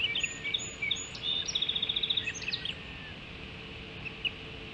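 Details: Hog Island ospreys calling at the nest during early morning feeding, 05:20 on 7 July 2016; high whistled chirps open the clip, then a quick run of about a dozen evenly spaced piping notes, set against a constant low hum.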